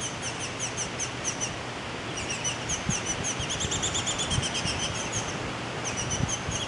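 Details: Fledgling Baltimore orioles leaving the nest call from a front yard, a busy chatter of high, piercing chirps in repeated runs, with a few low thumps and a low background hum.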